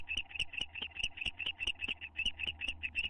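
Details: Nest-box owl pair bonding on May 9, 2011: a quick burst of about fifteen clipped, high-pitched chirps in three seconds, evenly paced, with a low background hum.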